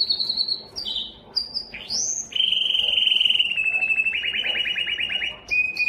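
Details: A yellow canary sings short high whistles and a rising slur, then a long rapid rattling trill that holds one pitch for several seconds before a few clipped notes.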